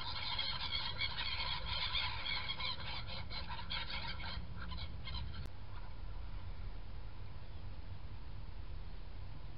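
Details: A flock of black-headed gulls calls while feeding and in flight, 21 January 2017. Rapid, overlapping harsh squeals and cries fill the first five seconds, then stop abruptly. Steady low rumbling noise continues throughout.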